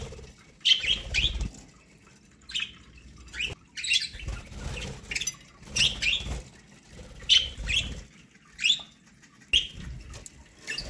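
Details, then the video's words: Pet budgerigars chirping while eating corn: short bright chirps and chattering bursts every second or so, interspersed with soft pecking and rustling sounds. "My budgies parakeets love eating corn"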